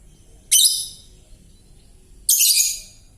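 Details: Juvenile lovebird chattering with a still hoarse, cracked voice: two loud, scratchy, hissing bursts of about half a second each, nearly two seconds apart, in otherwise quiet surroundings.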